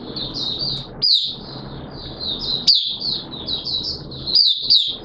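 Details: Oriental white-eye in the bird hobby beginning to sing on a wet-weather day, 6 September 2022: a long, high, rambling twitter of short slurred notes, punctuated by sharp rising chips about every 1.5 seconds.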